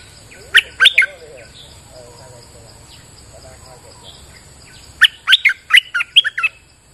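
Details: Bulbul on a rainy day gives two bursts of sharp, chirpy notes, three at first and then a longer run of about six, with softer warbling from other birds faintly in between.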